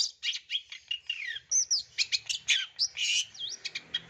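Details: Long-tailed shrike in 'gacor' full-fill song meant as a training lure for other birds: dense run of high chirps, rising and falling whistles and quick buzzy notes, about four notes each second, with no other clear sounds.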